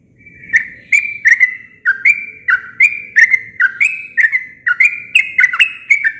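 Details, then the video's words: Sooty-headed bulbul singing naturally without added phrases: a steady stream of liquid, chirpy whistled notes, each starting with a sharp click and sliding slightly, about two phrases per second throughout, with a faint low hum behind. "Suara alami burung trucuk tanpa isian cocok untuk masteran"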